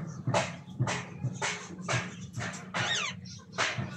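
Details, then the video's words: Red-breasted parakeet calling at the start of the mating/breeding season: harsh, raspy screeches repeated about twice a second, each a broad scratchy burst, over a steady low hum. "Red breasted parakeet mating time. ကျေးကုလားမ သားပေါက်ရာသီ စတင်ခြင်း"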